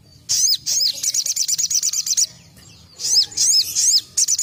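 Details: Energetic 'tembakan' song of a crested jay, played for songbird tutoring: two bursts of quick, high, piercing notes repeated several times per second, separated by a brief quiet gap, with soft low rumble beneath.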